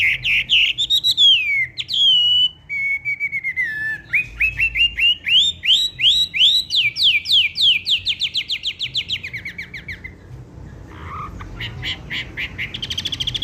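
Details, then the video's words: Black-naped oriole in vigorous song: a long series of quick rising whistled notes repeated about three times a second, steadily climbing, then a short pause and a fast buzzy trill. "wambi gacor"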